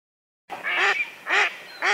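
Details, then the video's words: A mallard (Anas platyrhynchos) gives three loud, nasal, rasping quacks about half a second apart, each harsh and buzzy with a slight downward slur. "Кряква, голос - Кайырма өрдөк"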